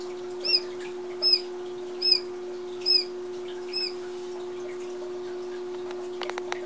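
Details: Manchurian and Italian quail chicks only a couple of days old give five thin, high peeps, about one every second, over a steady low mechanical hum, then a few faint clicks.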